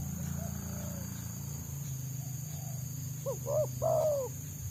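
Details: Wild Spotted Dove (tekukur) that a trapper's decoy tries to lure down, singing its quick 'selang nguku' pattern: after faint coos, a burst of short stacked notes and a long, falling coo, with engine-like low drone.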